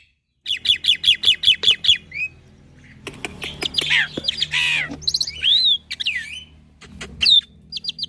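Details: Young, vocally active black-winged myna in full fill-in master song for training mynas: opens with a rapid, even string of bright chips, then harsh rasping noise bursts, a clear arched whistle and scattered chirps.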